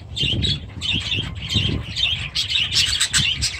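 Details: Budgerigars and new chicks in aviaries, 23 July 2017, produce lively overlapping warbles and sharp chirps, punctuated by soft wing-flaps and low rustling.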